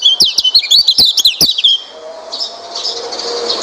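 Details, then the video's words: White-eye song used to lure a quiet white-eye into singing: rapid, high twittering phrases of short sliding chirps with sharp clicks, lasting about a second and a half, then giving way to a steady hiss. "Coba masteran burung pleci ini | pancingan burung pleci malas bunyi"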